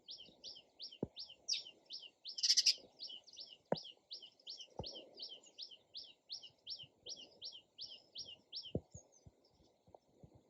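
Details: Long regular series of crisp repeated chirps from a sparrow, one loud rasping burst early on, and scattered low knocks and clicks underneath.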